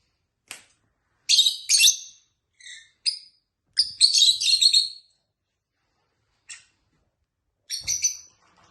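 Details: Tame pet lovebirds kept at home with a companion bird, chirping and chattering: short harsh high-pitched chirps in irregular bursts, some doubled or clustered, separated by brief silences.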